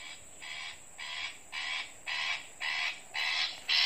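Long-tailed Shrike giving a string of harsh, grating rasps, about two per second, seven in a row, over a faint background hiss.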